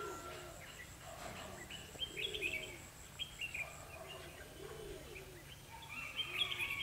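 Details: Red-whiskered bulbul singing a fighting song on 21/12/2015 while being trapped with a lure bird; brief chirpy warbled phrases come in scattered bursts, over a thin high insect whine and low background hum.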